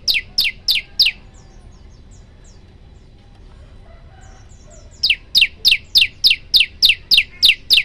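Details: Prenjak lumut or olive-backed tailorbird in its 'tembakan' song for tutoring: four sharp descending chips, a quiet gap with faint soft chirps, then a renewed fast run of about ten high, strident notes.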